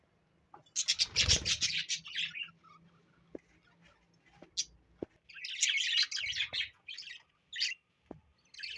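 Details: Loud bursts of harsh, high parrot chatter alternate with pauses holding soft clicks and taps, then the parrot resumes shorter chirping phrases.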